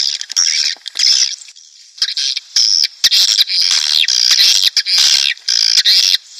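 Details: Swiftlet colony lure for a nest house, aimed at breeding birds: loud, harsh, buzzy chirping in long dense bursts, broken by brief gaps.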